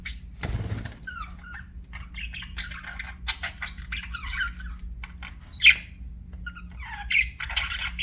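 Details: Budgie chirping with soft warbled chatter and thin scratchy notes, punctuated by one sharp loud squeak; a brief thump is heard near the start and a low hum runs throughout.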